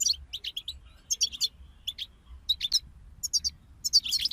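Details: A group of European goldfinches sings as motivation for songbirds: short bursts of bright, tinkling twitters and high buzzy notes come in clusters about every half second, with a faint low hum beneath.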